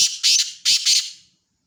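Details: Black francolin giving a rasping call of four scratchy notes grouped in two pairs, loud and high-pitched, the final note trailing off into silence.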